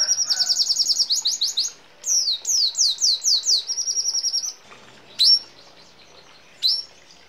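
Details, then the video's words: Red siskin in ngeroll song with sparrow, hummingbird and canary fills: rapid high trill, then five or six long falling whistles and a flat buzzy trill, followed by two lone sharp chirps after a pause. "Red Siskin Gacor Ngeroll Isian Gereja Kolibri Rambatan Kenari ❗️Canto Pintassilgo Venezuelano"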